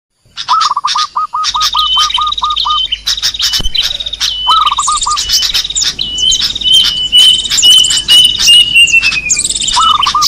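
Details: Small birds in a lure recording for attracting small birds: a dense chorus of high chirps and squawks, a repeated run of quick low notes, and long thin whistled notes near the end, continuous and busy.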